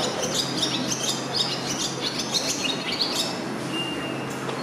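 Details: A male barn swallow, father of five nestlings, sings at Kugayama station on 27 June 2022 while watching commuters pass. He gives a fast, twittering run of high chirps and warbles, with a brief steady whistle near the end over a low hum.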